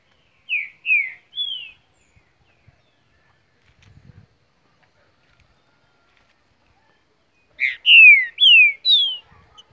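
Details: Green-winged saltator from Mar de Espanha, Minas Gerais, Brazil, singing two loud bursts of clear whistled notes, each slurring downward: three notes, a pause of about six seconds, then four stronger notes; faint low thuds in between.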